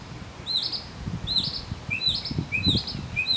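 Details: Northern mockingbird singing on 30 May 2015 at Arlington National Cemetery, Virginia, USA: repeated short, high chirping notes, about one and a half per second, over steady low traffic-like rumble.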